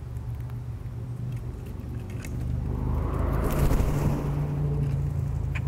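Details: A road vehicle rumbles past, swelling to a peak midway and then fading, with no animal voice.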